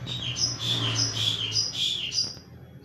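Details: Unpaired lovebird giving a string of high shrill chirps in quick succession, each note briefly dipping in pitch, over a low steady hum.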